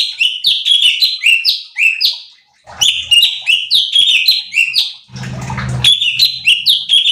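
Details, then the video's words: Cucak cungkok bulbul singing in a training recording for competition birds. Long chains of loud, clear whistled notes that fall in pitch, repeated rapidly, broken by a short pause and a brief low rumbling noise. "Pancingan Cucak Cungkok Malas Bunyi | Bikin Emosi Burung Lain"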